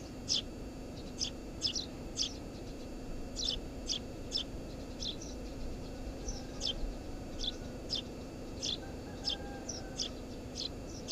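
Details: Chirping tree sparrow at its nest under the roof of a house, short metallic notes in irregular clusters of one to three, steady low hum in the background.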